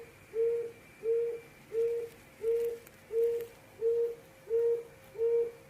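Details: Eight deep, soft hoots in a regular series from a quail giving the 'hồi công' call, each note short and steady, with a low electrical-sounding hum underneath.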